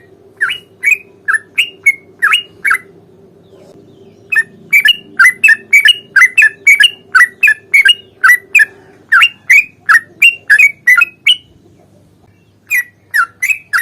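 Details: Sooty-headed bulbul singing its fighting song in long rapid runs to provoke a reply: three bursts of quick, bubbly whistled chirps separated by brief silences, a low hum fading partway through.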